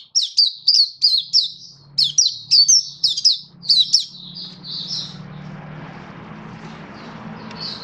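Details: Oriental white-eye in captivity singing: a quick series of high sharp descending chips for about four seconds, then the song thins to faint twitters as a low steady rumble and broadband hiss take over.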